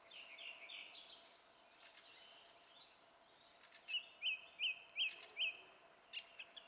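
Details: Song thrush singing, recorded 27 April 2016: soft high warbled phrases, then a clear sharp note repeated five times in quick succession around four to five and a half seconds, followed by faint short notes.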